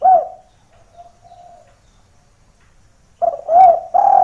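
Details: Lure call of a spotted dove meant to bring other doves down looking for a rival: one short coo, a faint soft trailing note, silence, then a loud run of rolling coos.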